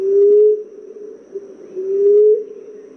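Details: Common emerald dove call, used to lure this bird when hunting: two low, soft, slightly rising hooting coos about 1.8 seconds apart, with a faint steady hiss underneath.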